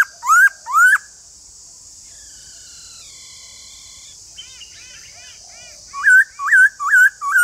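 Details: Caged white-cheeked laughingthrush singing: loud rising whistled phrases near the start, then a long pause with faint thin notes, ending in a run of four bouncy, looping whistles repeated about every half second.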